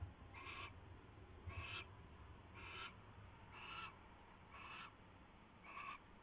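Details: Owl at the nest during mouse delivery and feeding, 4:21 AM, 24 February 2016, with six rasping, hiss-like screeches spaced about a second apart above a constant low background rumble.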